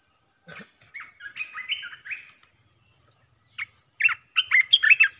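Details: Olive-winged Bulbul caged as a trapping decoy. Quiet warbled phrases come first, then a loud, quick sequence of bubbly, chattering notes near the end, over a continuous high-pitched hum.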